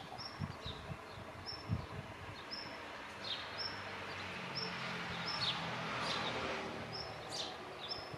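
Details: Male black redstart calling from the tip of a branch of a pruned tree: thin, high 'tsip' notes, one roughly every second, steady and unhurried, over a low background rumble and soft outdoor noise.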